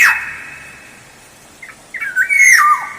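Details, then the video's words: Black-naped oriole lure song, opening with a sharp harsh note, then after a pause a fluty whistled phrase that rises, wavers and drops in a downward slur. "Suara Pancingan Kepodang Emas Gacor"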